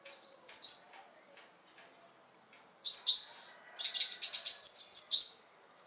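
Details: In Turkey, a red siskin gives a sharp high call note, then after a pause a brief chirp phrase and a lively twittering run of fast, high, slightly buzzy notes lasting nearly two seconds.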